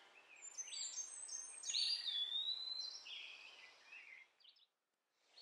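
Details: Baby sunbird rescued from a backyard, calling while hand-fed orange and mealworms; dense, excited high twittering with one whistled rising note, then the calls trail off into silence.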